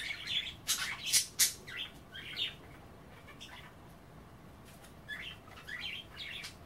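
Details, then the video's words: Pet budgerigars chattering while nibbling kale and water at bath time: quick bursts of scratchy, warbling chirps in clusters, with brief sharp broadband clicks, then a quieter stretch before softer chatter resumes. "A day in the life of a Budgie - kale bath and chattering"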